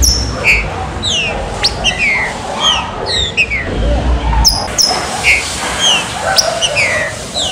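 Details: Green-winged saltator song played to warm up captive birds: quick, sharp, down-slurred whistled notes, repeated every half second or so, over a steady low background hum.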